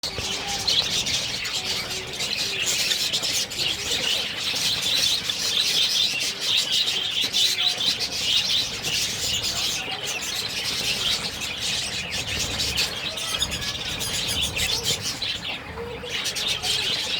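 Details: Budgerigar (Melopsittacus undulatus), chick calls.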